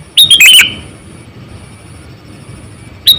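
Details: Sooty-headed bulbul kept as a decoy for catching wild birds, aged 8 to 9 years, giving one loud rapid chattering phrase that falls at the end, then a single sharp note after a pause.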